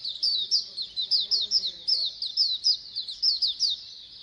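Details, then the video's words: Many Oriental white-eyes singing at once, a colony sound to coax birds into singing: steady stream of shrill, fast slurred chirps, rising and falling in quick succession, with a faint low hum underneath. "Pleci Koloni agar BUKPAR AGAR RAJIN BUNYI"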